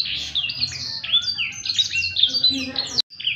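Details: Actively singing Blackthroat, ngerek style, suited as a tutor recording: continuous high warbling of clear whistles and sliding notes, cut off abruptly near the end before a few more notes resume.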